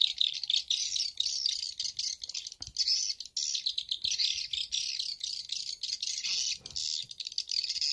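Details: Edible-nest swiftlet lure sound for swiftlet farmers, a stereo mix of the Bulan Madu and Black Phoenix styles made on a phone: dense, unbroken high chirping and twittering, fast and rattling, with no other sounds.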